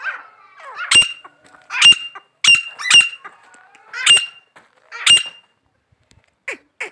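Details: A pet grey francolin giving loud, harsh, ringing notes about once a second, six strong calls followed by two softer ones, with little else heard.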